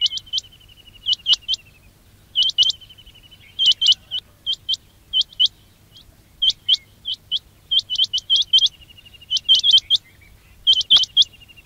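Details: High, hooked quail chirps, offered as a sound to attract quails for trapping, come in irregular bursts of two to four notes, with a soft rattling trill between some groups.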